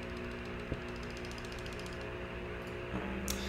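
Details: Steady hum and soft mechanical clicking with faint background music; no animal voice is heard.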